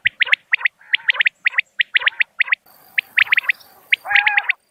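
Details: Common quail, clear natural calling. Tight triplets of sharp, high notes repeat steadily. Partway through, a soft background hiss begins, and the clip ends with a short, lower whistled note.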